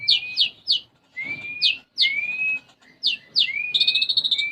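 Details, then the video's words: Actively singing konin sunbird, its song carrying sparrow imitations: bursts of rising whistled slurs and long level whistles, closing with a rapid buzzing trill. "Konin Gacor Isian Gereja"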